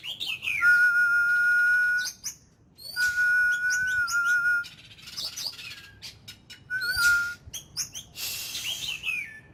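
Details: Oriental magpie-robin kept as an ornamental bird, in daily voice training described as "kích lửa" (firing up). Loud, level whistled tones a few seconds long alternate with bursts of quick, varied chirps and twittering notes.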